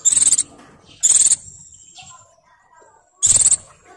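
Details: Breeding female Oriental white-eye, moulting, calling out to males: three short, very high, buzzy trilled bursts, each a rapid run of notes, with faint thin whistles between them.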